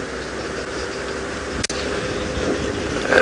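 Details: A vehicle engine idles steadily with a low, even rumble during a sunrise safari drive, broken by one sharp click midway.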